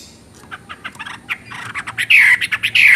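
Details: Chinese hwamei (wambi) building up: soft, scattered chattering notes that grow louder, finishing with two strong, slurred whistled phrases.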